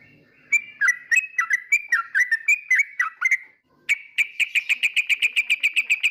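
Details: A trucukan, or yellow-vented bulbul, sings a series of whistled notes dipping downward, then switches to an even, rapid run of bright clipped chirps repeated about three times a second.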